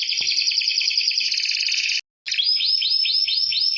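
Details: Canary singing nonstop in 'gacor' style, used as training material for quiet birds: a dense, buzzing trill, a brief cut, then clear upward-sliding notes repeated about four times a second.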